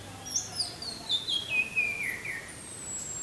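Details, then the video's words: Orange-headed thrush, 'teler' song style with wind sound: a cascading series of whistled notes stepping steadily downward in pitch over about two seconds, followed by a thin high drawn-out whistle, above a soft background hiss. "suara angin dengan suara anis merah teler"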